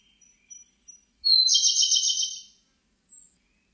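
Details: Siberian blue robin song, recorded in 2020: a few faint, thin, high ticking notes, then a loud, rapid, rattling trill of about a second that holds high and steady before fading. A brief high note follows in a quiet background.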